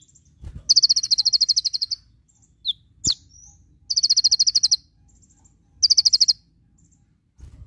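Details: Tutor recording of a konin, or Javan white-eye, singing 'tembakan': three rapid volleys of high, evenly spaced piercing notes, the first longest at about a second, separated by pauses and a couple of single sharp chirps.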